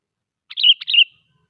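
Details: A single short phrase from a sooty-headed bulbul used as a lure for other bulbuls: two quick bubbly whistled notes, each opening with a clipped click-like onset, over near silence.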